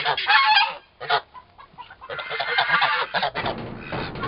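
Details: Pair of roughly four-month-old turkey toms fighting: a loud harsh burst, a short squawk, then a long continuous rasping scuffle growing noisier toward the end.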